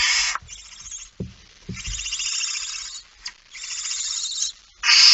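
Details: Barn owl at the nest, 05:28 on 19 September 2019; a loud rasping hiss opens and closes the passage, with longer, softer wheezing hisses and a few dull knocks between.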